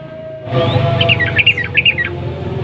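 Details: Sooty-headed bulbul song used as a lure for other bulbuls: a brief, fairly soft run of quick chattering notes over low background hum.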